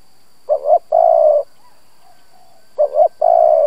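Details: Decoy spotted dove cooing to draw and provoke other doves: two phrases, each a quick double note followed by a long, even, slightly falling coo.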